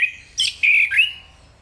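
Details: Short Enggano thrush phrase: a quick whistle, a bright high chirp, then a steady whistled note sliding upward at its end.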